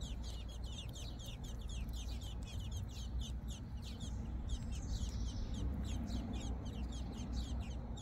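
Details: American robin calls at the nest during the nesting season, where adults feed nestlings: thin, high, quick chirps repeated many times a second and overlapping throughout, over a steady low rumble.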